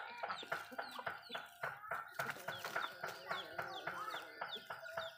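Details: Backyard Malay chickens feeding on food: rapid pecking clicks and short clucks repeated several times a second, overlaid with high descending peeps, dense and lively.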